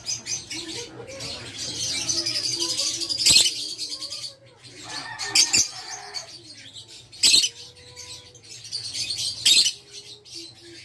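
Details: Caged Fischer's lovebird of the violet parblue colour mutation giving short, harsh, high chirps and buzzy chatter in irregular bursts, with a few sharper clicks and snaps in between. A faint low hum runs underneath.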